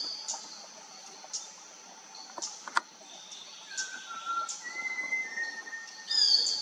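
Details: Malabar whistling thrush from India: a few sliding whistled notes in the second half, set against constant shrill insect noise and scattered clicks.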